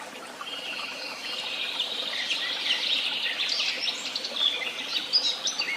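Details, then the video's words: Busy woodland bird chorus at Tehidy Woobs, softer and more blended, with a steady wash of high twittering, scattered chirps, and a faint insect-like hiss beneath the overlapping songs. "Sounds of beautiful birds and the tweet of birds"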